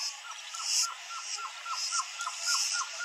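Blue-crowned trogon singing a steady series of short, soft mid-pitched notes, about four per second, over a constant high insect hiss.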